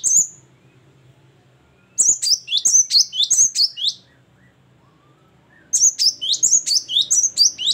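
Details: Great tit in full ngeplong, gacor singing: three bouts of bright, repeated two-syllable whistles, high note falling to lower, separated by silent pauses of about two seconds, in an otherwise quiet setting.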